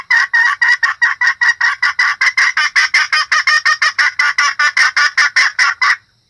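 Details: Hen red junglefowl used to lure males and other females, giving a long run of rapid, evenly loud clucking notes, about two and a half per second, for six seconds.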